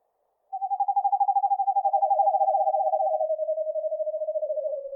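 An Eastern Screech-Owl gives a long, even trill of rapid soft hoots that drifts slightly lower over about four and a half seconds; nothing else is heard.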